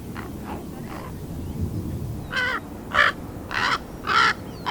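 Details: A 13-and-a-half-week-old raven chick learning to make sounds: faint soft notes at first, then five loud, harsh, cawing croaks spaced roughly half a second apart, each rasping and broadband.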